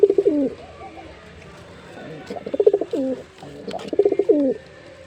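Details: Male Jeera pigeon's performance call: three bursts of pulsed, throaty cooing separated by short quiet gaps, each phrase dropping at the end.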